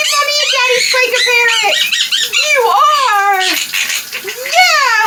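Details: A female pet monk (quaker) parakeet on her shower perch chatters loudly in a small room, with squeaky, speech-like phrases that rise and fall.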